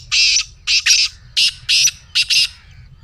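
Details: Black francolin, played to set a pet francolin calling: six harsh, grating, broadband bursts within under three seconds, some closely paired, loud and dry over a quiet low rumble.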